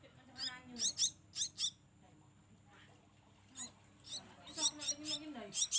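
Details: Javan myna nestlings, kept and raised from small, being hand-fed. They give harsh, raspy, high-pitched hissing bursts in quick clusters with short pauses between them, while a person's low voice murmurs underneath.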